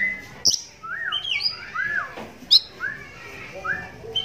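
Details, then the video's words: Caged oriental magpie-robin, blind in one eye since young, singing while other magpie-robins answer; arched whistled phrases rising and falling, set among sharp high clicks and chirps, with faint background noise. "Walau Matanya Buta Tapi Suaranya Mampu Bikin Kacer Lain Langsung Nyahut"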